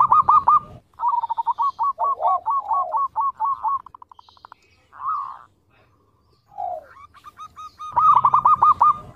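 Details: Zebra dove of a local strain singing keenly, kept as a lure to prompt other doves: rapid trains of hooked, bouncing coo notes in series, broken by a few lower slurred notes and pauses, then a fresh burst of quick notes.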